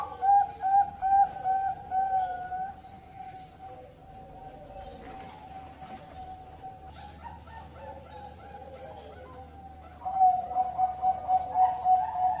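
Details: A captive, ringed Zebra dove at a breeding farm in Cirebon, Indonesia, hatched 16-10-20, gives bursts of soft, rapid, staccato cooing at a steady mid pitch, with quieter murmuring between before the cooing resumes.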